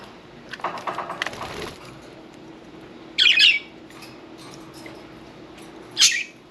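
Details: Pet budgie parakeets during a bath, with splashing and fluttering at first, then two loud harsh squawking chirps a few seconds apart.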